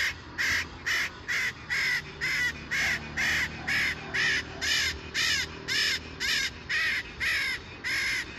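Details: Parakeet calling in an urban setting; loud raspy squawks repeated at a regular pace of about two per second, with a faint low hum beneath.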